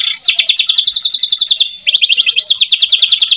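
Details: Rapid high trilled series from a white-rumped shama singing a lure song with rich fill phrases to provoke other shamas into replying. Two long bursts of crisp repeated notes are split by a brief pause.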